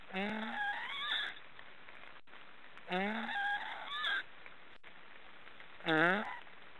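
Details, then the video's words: Black storks snoring: three drawn-out, nasal harmonic calls, each rising in pitch and ending in a rougher upward slide, spaced about three seconds apart with quiet gaps between. "Black storks are snoring"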